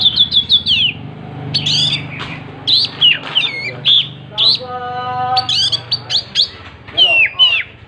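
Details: Oriental magpie-robin (kacer) in vigorous song with tail spread: a rapid series of high whistled notes, then scattered sharp chirps and twisting whistles. A steady harmonic tone sounds briefly in the middle.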